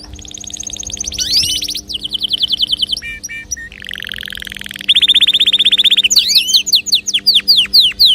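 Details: Canary song intended to get other birds singing: rapid trills, a brief broken section, a rolling buzzy trill, then sweeping whistles, over a faint low hum.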